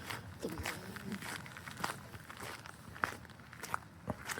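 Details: Crunching footsteps and rustling at a beach, with brief murmured speech and scattered clicks, but no clear animal call.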